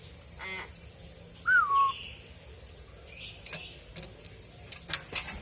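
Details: Pet common hill myna kept by its owner, giving a loud clear whistle that slides down from high to lower pitch, preceded by a short buzzy note; faint high chirps from other small birds follow.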